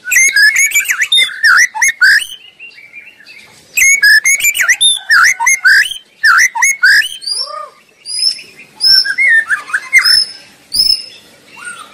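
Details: White-rumped shama singing freely in the wild: loud bursts of varied, rich whistles and chattering notes, separated by short pauses, with softer single whistles between phrases.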